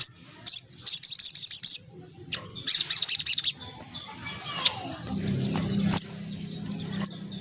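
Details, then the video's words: Energetic white-breasted woodswallow song in the ngelaper ngriwik style, with quick trains of thin, high, rattling chirps in short bursts, then scattered single chips over a low steady hum. "SOGON GACOR NGLAPER NGRIWIK"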